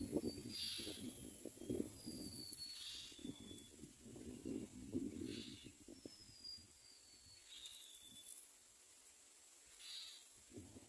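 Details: Young myna birds in the nest begging for food from parents: harsh, hissing calls in bursts every two seconds or so, with faint thin whistles and low rustling thumps beneath.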